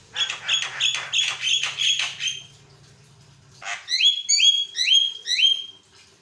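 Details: Javan myna in continuous song meant to make other mynas answer: loud grating rattles repeated several times, then a series of clear upward-sweeping whistles about every half second, with a low hum early on.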